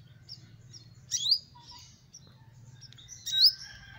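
A sunbird gives two sharp, high rising chirps about two seconds apart over faint thin twittering and a low steady hum.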